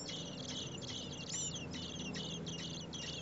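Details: Four nestling common blackbirds begging during a feeding visit, in heat above 30 °C: shrill, scratchy high chirps pulse in quick irregular bursts, with a faint low hum underneath.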